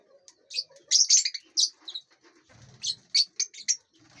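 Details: Lovebirds feeding and flying in an aviary: high, squeaky chirps in irregular bunches, some overlapping, with short quiet spells in between.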